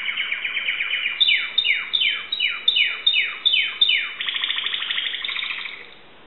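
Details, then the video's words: Timbrado canary from Greece giving repeated falling sweeps, roughly seven evenly spaced slides, then a fast rattling trill that fades out. "greek canary timbrado singing song"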